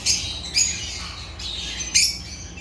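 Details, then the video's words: African lovebirds (Agapornis) chirping: a few sharp, high squawky bursts spaced about every half second to second, with quieter chatter between them. "Agapornis lovebirds chirping sounds"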